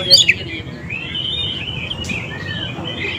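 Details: Oriental magpie-robin song used as a lure to draw wild and young birds into answering: loud, clear whistled notes high in pitch, with a sharp burst at the start and then sustained warbling phrases over a faint low hum.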